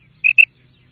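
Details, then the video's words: Female quail, called batair locally, giving a single call from a set of six types: two short, bright, even notes in quick succession, silence otherwise. "Female batair sound / مادی بٹیر کی 6 قسم کی کرک"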